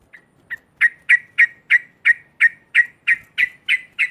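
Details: Sooty-headed bulbul in loud, continuous 'ngekek' chatter intended to provoke rivals: a steady run of about thirteen sharp clipped notes, roughly three per second, building from soft to loud and staying strong.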